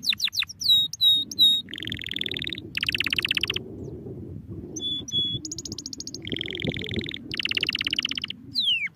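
A domestic canary sings a long varied song: sweeping whistles, fast buzzy rolls and bright high trills, changing phrase every second or so over a faint low hum.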